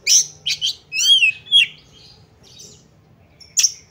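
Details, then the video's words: Female Oriental magpie-robin used as a lure to make males aggressive and spread their tails: quick run of high chirps, a downslurred whistle, a buzzy note, then a lone sharp chip after a pause. "Pancingan Kacer Agar Cepat Emosi || Langsung Bukor Tarung"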